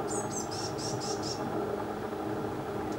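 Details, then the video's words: Eurasian blue tit in a garden where several families of young birds are being fed, a parent feeding a fledgling; about six thin, very high trilled notes in quick succession over the first second and a half, then steady broad background noise. "Blue Tit Feeding Youngster"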